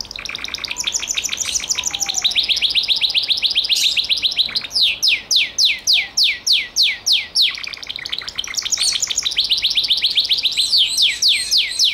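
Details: A Gloster canary delivers a long fast trill, then a measured sequence of loud descending whistled sweeps, followed by renewed dense trilling.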